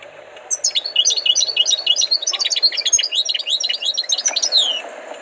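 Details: Tutored European goldfinch singing a dense, fast twittering run of sharp high chirps and slurred notes, near-continuous for about four seconds over a steady low hum.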